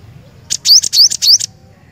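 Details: Cinereous tit song: three quick, loud, high notes, each a sharp upward-sweeping whistle framed by buzzy clicks, evenly spaced over about a second, with faint low background hum.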